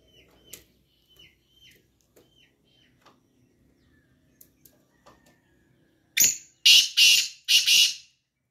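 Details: Black francolin calling in the morning: after faint scattered chirps from other small birds, three loud, harsh, rasping notes burst out in quick succession near the end.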